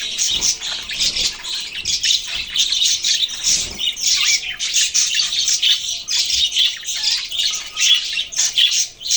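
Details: Budgerigars chirping together in a dense, continuous chatter of high scratchy notes and squawks, many birds overlapping without pause.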